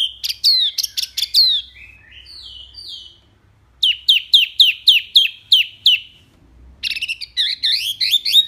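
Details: Tembakan song of the wambi mini, intended as birdsong tutor audio: a fast burst of sharp descending notes, about nine evenly spaced downslurred whistles, then a dense tumbling warble.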